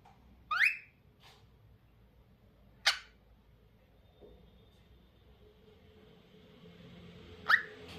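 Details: Loud, sharp chirps from a lutino cockatiel, three piercing notes a few seconds apart, the first sweeping upward, in an otherwise quiet room with a faint high tone.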